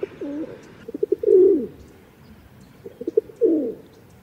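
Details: Rock dove calling twice: a burst of short low notes and a drawn-out throaty coo, repeated after a pause, with a faint background hum at the start.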